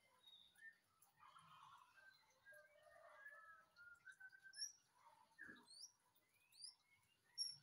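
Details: White-rumped shama singing as relaxing company with coffee: soft low warbles and drawn-out whistles, then sharp high upslurred notes scattered through the second half, with one low thud midway.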